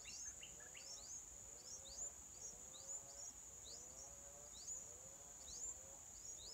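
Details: Wild yellow-vented bulbul, a mother feeding her chicks on day four: quick high upward-sweeping chirps repeated about once a second, over a lower wavering tonal hum and a steady high insect-like hiss.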